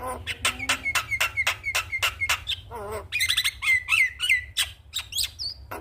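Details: Javan myna morning song used to stimulate other mynas to sing: a fast run of harsh clicking notes, each with a short whistle, then a wavering nasal phrase and a burst of buzzy squawks and thin whistles.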